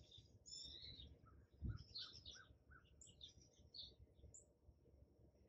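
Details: Morning recording of a hummingbird at a feeder, made with an iPhone 11 on a tripod: high, squeaky chips and twitters come in rapid, uneven bursts, with a brief low knock partway through.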